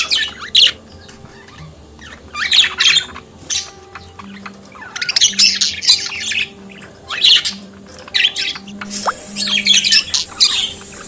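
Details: Budgerigar warbling song and chatter. Scratchy chirps and squeaky trills come in separated bursts over several seconds, with a steady low tonal hum in the background.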